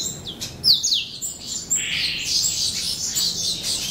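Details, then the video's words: Chicks of the somereni subspecies of Crithagra atrogularis give thin, very high chirps and sliding squeaks, then a continuous shrill chorus of overlapping high calls. "Crithagra Atrogularis Somereni Chicks"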